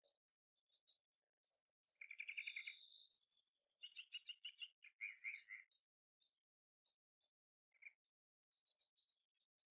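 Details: Kingfisher filmed in March 2023 on a Canon R7: scattered high, piercing chirps, then a dense burst of rapid, buzzy rattling notes mid-clip, followed by more spaced single sharp chips at irregular intervals.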